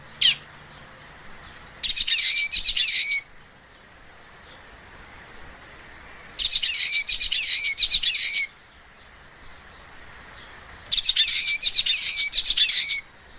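A common waxbill sings short, high, buzzy and twittering phrases about four seconds apart, over a steady thin high-pitched hum.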